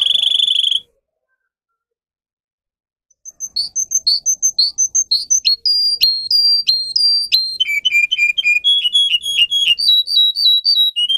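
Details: Tutor song for young canaries: a high trill stops, then after a short silence come varied whistled notes, sharp repeated chirps, and a lower buzzy roll, changing tour every second or so.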